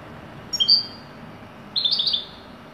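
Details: European goldfinch in wedani-style song: a pair of thin high notes, a pause of about a second, then a short burst of quick tinkling twitters, over a low constant hum.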